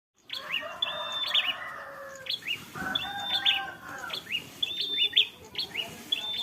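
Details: Bar-winged prinia, a fighter bird, singing its long drawn ngalun style: high, level whistled notes each ending in a sharp accented chip, repeated in phrases roughly every second, with a lower warbling chatter in the middle.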